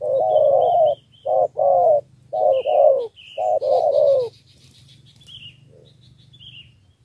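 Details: Three-note 'thổ 3 âm' cooing of a spotted dove from Ca Mau, Vietnam, used to draw wild doves. Four deep coo phrases come in the first four seconds, then it falls quiet while thin chirps of small birds continue.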